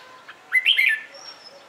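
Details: Red-whiskered bulbul singing in the morning for song training of other bulbuls; one brief rich phrase of looping whistled notes, with a thin high whistle from another bird afterwards.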